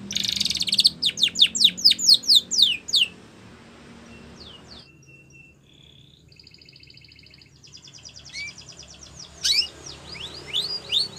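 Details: Spanish Timbrado canary song used for training canaries: a fast series of sharp descending whistles, a quieter stretch of steady metallic tones and rattling trills, then more quick downslurred notes.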